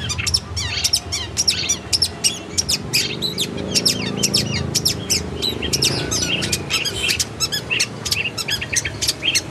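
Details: Vigorous long-tailed shrike singing from a tutor recording meant to train kept birds: an unbroken stream of sharp, rapid chattering notes and clicks. A soft low murmur runs beneath it mid-clip.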